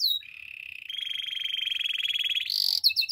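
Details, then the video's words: Canary song for coaching other canaries: a long, smooth rolling trill that slowly rises in pitch, ending in a few sharp high chirps. "Impossible If Your Canary Does Not Immediately Sing! Canary's Song"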